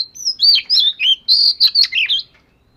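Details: Oriental magpie-robin, scaly variety, in voice training. A continuous string of loud, sweet whistles and swooping slurs, around nine notes in just over two seconds, ringing out over a quiet background.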